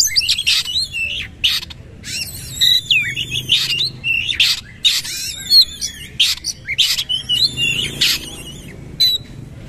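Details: Oriental magpie-robin delivering bowing-posture 'nembak' song: bursts of harsh rasping notes alternating with bent whistles, repeated in loose phrases about every half second.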